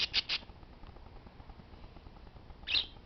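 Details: Parakeets making noise: two quick, shrill, grating squawks right at the start, a stretch of quiet background hiss, then one louder, harsher screech near the end.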